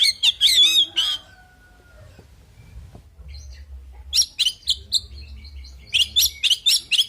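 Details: An oriental magpie-robin delivers a fighting song: an opening burst of warbled, looping whistles, a quiet gap with low rumble, then a string of quick, high, sharp chirps repeated about twice a second.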